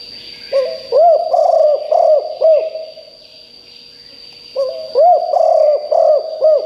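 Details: A loud cooing decoy spotted dove, used to draw in wild birds, repeats a phrase twice: a drawn-out opening note, then four or five bouncy arched coos, then a gap of about two seconds. A steady high hum runs underneath.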